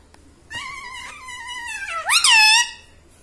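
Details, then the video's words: Talking pet parrot mimicking human speech indoors: a long, level, nasal drawn-out tone, then a sharp rising squeal that peaks and falls away. "insaan ki tarah bolta tota - talking parrot"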